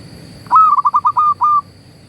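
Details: Loud local zebra dove song meant to excite silent or stressed doves: a single phrase of rapid stuttering coos, about six notes, the last two drawn out longer, over a faint steady tone.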